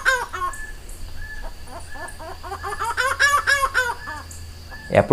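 Laughing Falcon giving a rapid series of harsh, nasal notes that swell and quicken like a hearty laugh; a faint steady hum runs underneath.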